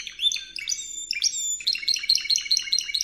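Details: Spanish Timbrado canary song for training young canaries: a short run of descending notes, then a fast bright rolling trill of repeated high syllables, with faint low hum behind.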